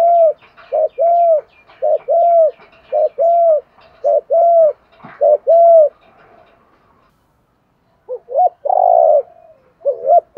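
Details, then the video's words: Spotted dove cooing to stimulate wild-caught birds to call. Low, mellow coos are delivered in a quick series of short rounded notes over about six seconds. After a pause, a few more coos follow, ending in a longer burred note. "Tiếng chim cu gáy kich bổi mới[ tiếng thúc . gáy gọi ] chim cu gáy giọng hạp bổi, giúp bổi mau lên"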